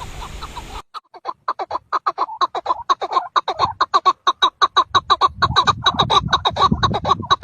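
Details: A caged chukar partridge in spring, amid green surroundings, gives a rally call said to draw in partridges on the mountain: hoarse clucking chuck notes speeding from about two a second into dense, excited chatter, with wind rumble beneath.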